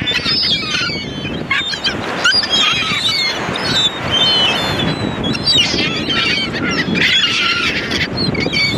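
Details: Dense chorus of gulls with many overlapping squealing and mewing cries, some rising and falling, continuing without pause over background rush.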